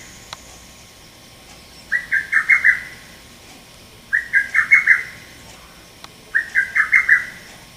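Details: Lesser cuckoo, a male, recorded on 30 May 2017; three bursts of its piercing, rapid five-note phrase, the notes rising and falling sharply, spaced about two seconds apart with near silence between.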